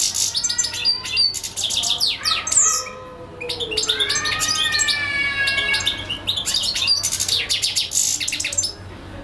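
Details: European goldfinch singing for hours without stopping, here a dense, fast stream of tinkling twitters, bright high chips and liquid rolling trills, with a brief dip around three seconds before the jangling phrases resume.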